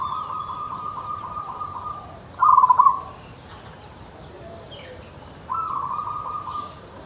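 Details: Local zebra dove in full song: an even, purring coo, then a short cluster of rapid jerky notes, a silent gap, and a fresh sustained trill. Quiet hum in the background.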